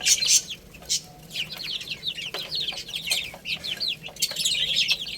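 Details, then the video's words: Baby chicks chirp as they play and feed, clear high peeps sliding downward, repeated rapidly by several birds at once, with a couple of louder taps at the start. "Cute Little Chicks Chirping Sounds| Baby Chicken Playing and Eating"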